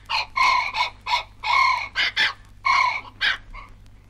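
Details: A pair of brolgas calling in Australia, from a 1968 wildlife record: loud, harsh trumpeting notes in uneven bursts, some long and some clipped, about a dozen in four seconds, with faint background hiss.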